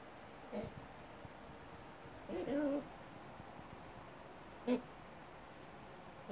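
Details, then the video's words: A pet hyacinth macaw, outside on a balcony, tries to say its name and other words: mumbled, low, voice-like syllables, one longer phrase and several brief ones a couple of seconds apart, over steady background hiss. "Chatty hyacinth macaw"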